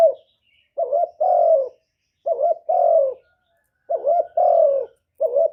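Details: Decoy spotted dove calling to lure wild doves: steady low coos in pairs, a quick quavering note then a longer sliding note, repeated roughly every one and a half seconds.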